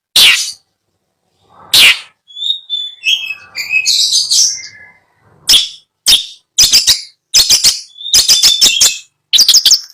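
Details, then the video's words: A caged long-tailed shrike for sale in Bondowoso, Indonesia, alternates harsh rasping bursts with softer warbled and whistled passages, then a quick series of sharp clipped notes. "Suara merdu burung cendet"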